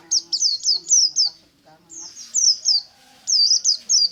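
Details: Morning white-eye ngalas song: continuous chains of high, sharply falling whistled notes, fast and repeated, with faint low tones and murmuring beneath.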